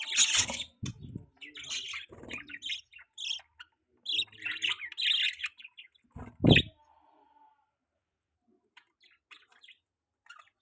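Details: Baby pet budgerigar chirping: bursts of high, scratchy chirps and twitters in the first seven seconds, mixed with low thumps and handling knocks, then a few faint chirps near the end.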